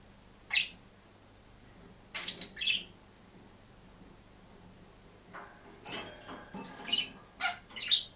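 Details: Lone green budgerigar in a cage chirping and warbling: a thin single note, a harsh double chirp, then a busier run of short, varied chirps and squeaks near the end.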